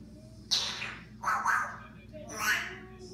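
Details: African grey parrot kept indoors as a pet, said to make fart imitations for the ladies: three rough, broadband squawking bursts about a second apart, each mixed with noisy hiss, against a quiet room background.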